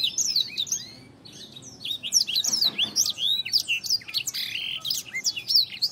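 A Black-throated Canary sings a fast, continuous warble of high, varied twitters and sweet trills with few pauses, over faint room hum.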